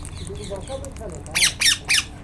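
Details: Wild Indian ringneck parakeet uttering three loud, grating, downward squawks about a third of a second apart, after softer chirping notes, with low background rumble.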